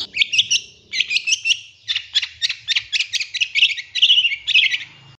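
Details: Long-tailed shrike master song meant to provoke other birds into singing: a fast run of sharp, high chattering notes in tight bursts, repeated almost without pause for five seconds.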